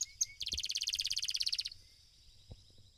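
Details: Domestic Belgian canary at a singing competition, opening with two short high notes, then a rapid, evenly pulsed trill lasting over a second, fading into a thin sustained tone; faint low thumps nearby.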